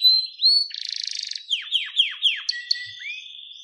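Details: White-rumped shama of the captive-bred blorok (pied) variety, sung as a clear-voiced master song for training. A sharp whistle and a buzzy rattle lead into a run of four steeply falling slurred notes, then short high chips and a rising whistle.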